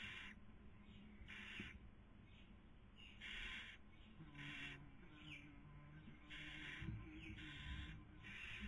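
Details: At a barn owl nest in Cabañeros National Park, Toledo/Ciudad Real, Spain, 2020 breeding season, the female feeds as the male tries to sleep; roughly seven drawn-out, noisy hisses, faint low hum between them.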